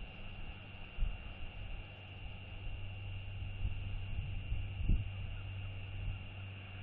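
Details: Low rumbling wind buffeting with a steady background hum and a few brief knocks, with no animal voice heard.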